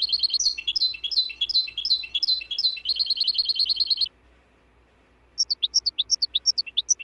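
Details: Goldfinch singing, compiled for birds to learn from: four seconds of jangling twitter ending in a fast, even trill, then a short hush and a series of separate, sharp, rising chirps repeated steadily.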